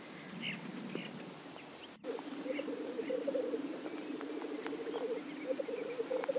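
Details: Lekking male black grouse. Brief muffled noise gives way after a sharp break to steady, low rolling bubbling that pulses continuously, broken by short pauses, and a few distant high chirps.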